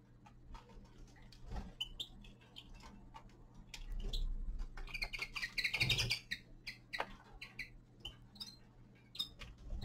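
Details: Common linnet, young male in winter, twittering with many quick chirps that swell into a dense burst midway, accompanied by tapping, rustling and a steady low hum.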